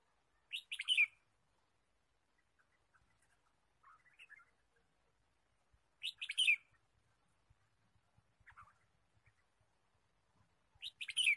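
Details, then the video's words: Wild red-whiskered bulbul chirping in forest during bird trapping on 23 March 2017: short bursts of bright, scratchy chirped notes roughly every five seconds, with softer faint notes between them and quiet surroundings. "Red-whiskered bulbul Chirping"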